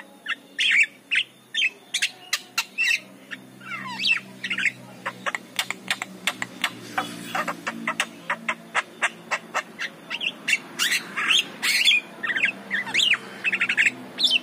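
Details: Lively morning song of a Javan myna, used as a lure to draw in other mynas; rapid harsh clicks and chatters interspersed with squawks and bent, slurred whistles, dense and continuous throughout.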